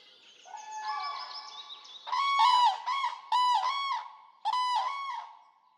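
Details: Common crane in Poland: a softer, rising series of notes opens, then four loud, rich, trumpeting bugles, each roughly half a second long, follow about a second apart in a clear, quiet setting.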